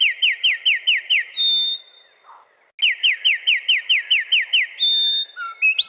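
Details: A wren singing to defend his territory: two bursts of loud, high, ringing downslurred notes repeated rapidly in even series, separated by a brief pause, ending with a few rising chirps.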